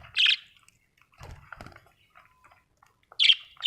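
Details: Budgerigar producing two loud, harsh chirp bursts at the start and end, separated by quiet muffled thuds and soft scratchy noises.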